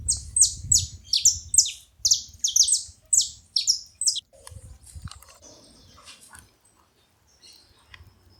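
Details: Saffron finch at a feeding spot: a fast run of bright, high chirps, each sweeping sharply downward, tumbling out for about four seconds before fading into scattered faint notes and a low background rumble.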